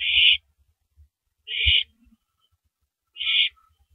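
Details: Female owl feeding on a large rabbit at 3:33 AM, April 9, 2012: three harsh breathy bursts spaced unevenly, separated by low bumps and light tapping.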